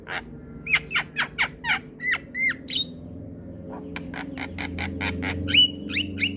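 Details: Javan myna (jalak kebo) in full song with head-nodding, recorded to train other birds: a regular series of harsh, percussive notes with short squeaky whistles, then faster clicking and a final bent whistle over a low hum.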